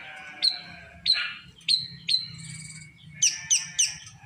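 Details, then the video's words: A drongo known as srigunting krantil, said to be increasingly vocal, gives spaced sharp downslurred whistles, a short ringing trill, then three quick high notes, over a soft low hum. "Semakin hari semakin gacor burung srigunting krantil"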